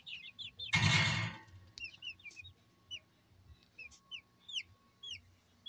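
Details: Brahma chickens kept at a poultry farm in Barreal, Heredia, Costa Rica; a loud rough noise burst near the start, then scattered clear high peeps, each a short arched whistle, spaced irregularly with quiet gaps between.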